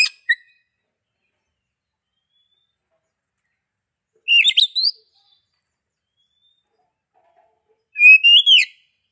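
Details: Oriental magpie-robin song: short whistled phrases, each a rising note ending in a quick upward flourish, spaced about four seconds apart with silence between.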